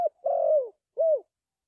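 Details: Spotted dove heard in a trapping decoy recording: a long, slightly quavering coo dropping at its end, then a separate arched mellow coo after a short gap.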